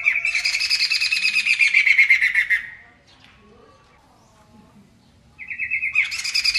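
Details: Loud, gacor Poksay Mantel song: a long buzzy, harmonic chattering phrase sliding downward, a quiet pause of nearly three seconds, then a whistled introduction leading into another harsh burst.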